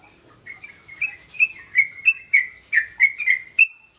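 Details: Young sooty-headed bulbul singing freely and often: a run of short, bright whistled notes, each slurring down and then up, repeated about three times a second with a slightly changing pitch. The background is quiet.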